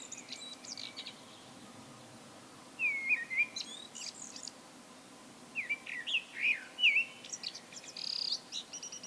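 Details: Common blackbird giving a solo song: two bursts of clear whistled phrases with scratchy high twittering, separated by a short pause, fairly quiet and distant against a calm background.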